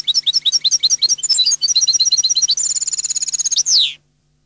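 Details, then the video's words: European goldfinch song, Neapolitan style: dense rhythmic twittering phrases of high chirps, shifting into a rapid even trill, ending in a loud sliding downward note before falling silent; soft low hum throughout. "canto cardellino CD Napoletano jilguero canto"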